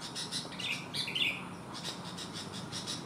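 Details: Sooty-headed bulbul with one abnormal leg, still singing actively: a brief burst of bright, liquid chirped notes over a steady hiss with pulsing background noise.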